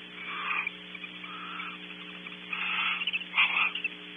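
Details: Barn owls sharing a long, laborious meal in a nest cavity at Audubon Starr Ranch, California, give rasping hissed screeches. Some are drawn out and some are clipped short, with a louder harsh burst near the end and constant mechanical hum beneath.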